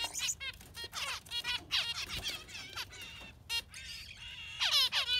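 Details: Yellow finch singing in quick bursts of scratchy, harmonic chirps and short trills, separated by brief pauses, with a sharp click heard midway.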